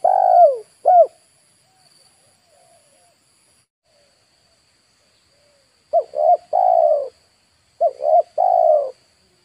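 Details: Spotted dove used as a lure for wild birds in Indonesia: a descending coo and a short coo, a long silence, then two three-part phrases of short coos ending in a longer drawn-out coo.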